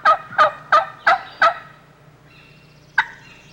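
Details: Wild turkey gobbler in spring woods at daylight, with hens nearby in the valley: five loud, harsh, throaty gobble notes at about three per second, then a pause and one more note; faint background hum.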